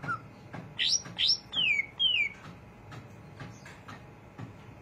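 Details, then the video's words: Greater green leafbird in chattering 'ngriwik' song: a brief note, then two rising-falling high whistles and two long downslurred whistles in quick succession, followed by near-silence with faint soft ticks and low background hum. "cucak ijo rajin ngriwik"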